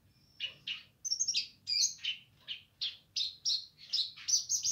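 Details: Streaked spiderhunter song in the gacor nganar style: separate strident chip notes that climb in pitch and pick up pace into an even rhythm of bright, slightly buzzy calls, with a soft low background hum.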